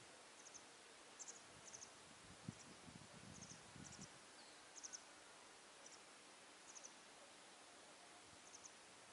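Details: Masked wagtail fledglings, not yet feeding themselves, call for food while a parent hunts insects. Quiet, very high short chirps repeat roughly every half second to second, with soft rustling and hiss behind.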